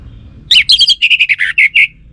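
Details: Orange-headed thrush lure song, used so that males answer: a quick run of about ten loud, clear notes, the first ones high and sharp, the later ones slurred whistles near the middle of its range, in a quiet background.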